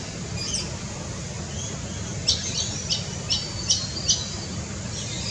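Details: A forest kingfisher in Australia gives a short run of six sharp, high, scratchy notes, about two or three a second, over a steady low wind rumble.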